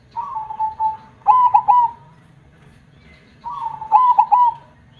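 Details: Zebra dove singing actively with a big, deep 'kong' voice: two phrases, each a soft slurred coo followed by three quick, loud, clipped ringing notes ending in a trailing hum, separated by a pause.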